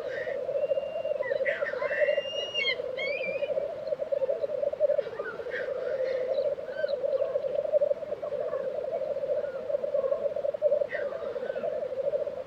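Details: Black grouse at a lek in Tiveden, Sweden, April 2023: a steady, pulsing low bubbling chorus runs throughout, while other birds add scattered whistled, trilled notes and rising slurs above.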